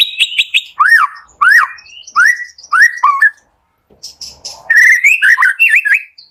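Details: Morning song of a white-rumped shama, played to prompt sluggish shamas into singing: loud arching whistles repeated about every half second, a short pause, then a faster run of twisting whistled notes.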